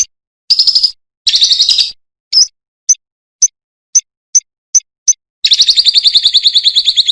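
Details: Lovebird sound used as a training recording to draw a reply from other birds: bursts of fast, harsh, buzzy chatter alternate with short sharp single chips spaced about half a second apart, ending in a long rapid trill.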